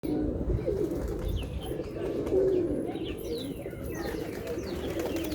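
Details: Pigeons cooing together in a low, murmuring chorus of overlapping soft coos, steady throughout, with a few faint higher chirps from other birds above.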